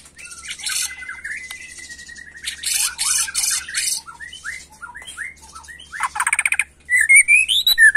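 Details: Agitated white-rumped shama singing in the 'macul' style: harsh buzzy bursts and squawks mixed with slurred whistled notes, ending in a fast rattling trill and sharp rising whistles.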